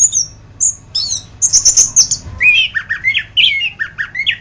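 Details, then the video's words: A masteran recording of an orange-headed thrush: thin very high whistles and a buzzy trill, then a quick series of lower sweeping whistled notes repeated several times. "Masteran Burung Anis kembang"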